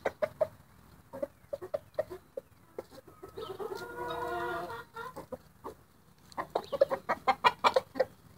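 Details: Happy roosters clucking in bursts of quick short notes, with a longer rolling, gurgling warble in the middle and a dense run of clucks toward the end.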